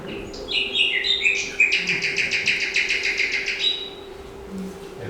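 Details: Common Nightingale song, played back as the most typical bird of the Soto del Encín riverside in Alcalá de Henares, Spain, a territorial singer: whistled notes, then a fast, loud, evenly repeated run of about a dozen sharp notes, then a closing phrase.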